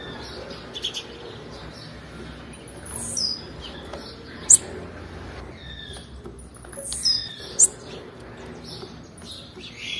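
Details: Female blue-black grassquit call, used to stimulate males: short, very high, thin chips, often doubled, spaced a few seconds apart over a soft background hiss with faint lower chirps.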